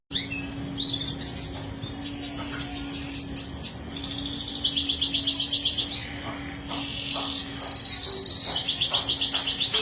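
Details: Canary in full song, pouring out long rolled trills and rapid chattering phrases mixed with bright whistles, against a steady low hum and faint insect-like chirps.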